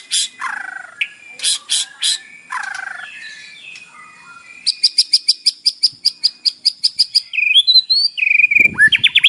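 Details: Morning lure song of a white-rumped shama, full of mimicked fill-ins, meant to set a captive bird singing: slurred descending whistles and high chips, then a long steady series of rapid ticking notes ending in rising whistles.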